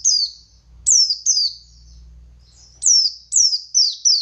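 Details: Buxtoni white-eye in full forest-style song, used to stir other white-eyes to respond: a string of high, descending whistled slurs in quick groups, with a soft low rumbling hum between them.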